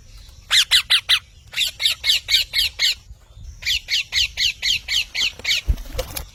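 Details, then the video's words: Parrot squawking in a long regular series: harsh, grating calls repeated about three per second in three bursts, with short pauses between bursts and a thump near the end. "Mithu Tote Ki Awaaz"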